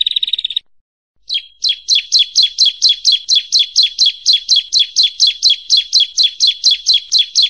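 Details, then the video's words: Training master of bar-winged prinia song for competition birds, opening with a brief buzzy burst, then after a pause a long, regular series of crisp downslurred chirps, about two per second. "SUARA BURUNG PRENJAK YANG SELALU BIKIN JUARA 1"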